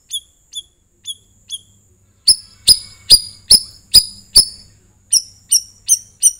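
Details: Sooty-headed bulbul (cucak rawis) singing to draw other birds into song: four spaced, thin high chips, then loud sharp chirps about every half second, followed by quicker clipped notes.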